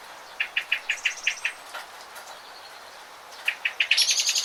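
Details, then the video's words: A bird sings a run of short, clear chirping notes, repeated about six times a second. A pause follows, then another run, ending with a high, buzzy trill from a second source. "How wonderful is the sound of birds"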